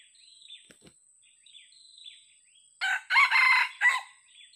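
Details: Old original red junglefowl, still hesitant, during decoy luring. Small birds chirp sharply at first, then a loud four-part crow with a short opening note, a long harsh middle and an abrupt closing note, followed by more chirps.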